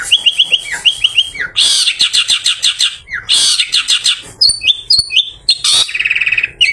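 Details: Long-tailed shrike singing after bathing, used in the afternoon to lure other shrikes; quick rising chirps, loud buzzy rattles, clear high whistles and a closing fine trill.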